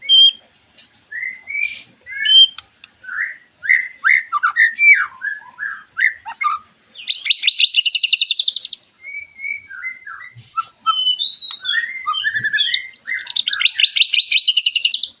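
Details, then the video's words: White-rumped shama song played to draw other shamas into singing: a long sequence of varied whistled notes, fast repeated buzzy trills, and mimicking chatters in continuous phrases. "MURAI BATU GACORAN PANCINGAN MURAI BATU OMBYOKAN ABRAGAN AGAR IKUT NYAUT GACOR"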